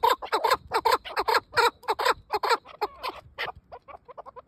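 A partridge gives a fast run of harsh, clucking chuk notes that quicken and shorten toward the end.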